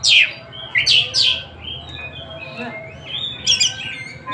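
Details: Oriental magpie-robin (Tasik kacer) in free song: loud, harsh, descending bursts, then softer twittering and a final cluster of high notes.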